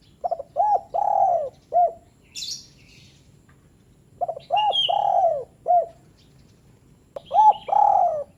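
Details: Spotted dove short call for lazy doves: three phrases of stuttering coos, a long slurred croon and a clipped end note, repeating every few seconds, with scattered high chirps and a whistled note from other birds.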